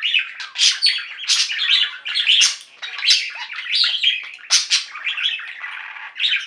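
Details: Budgerigars in a pet singing flock, kept indoors: loud, busy warbling with sharp squawky chirps and rapid twitters, bursting out roughly every half second, several birds chattering over one another.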